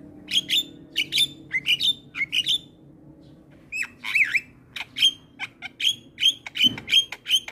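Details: Javan myna singing energetically, a tutoring recording meant to excite other mynas: a series of harsh notes each ending in a short bright whistle, a pause, then more rapid repeated rasping whistles.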